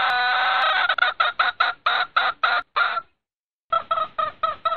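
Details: Hen red junglefowl calling her rooster in breeding season, a fast string of rough clucks repeated several times a second, broken by a short silence before the rapid clucking resumes.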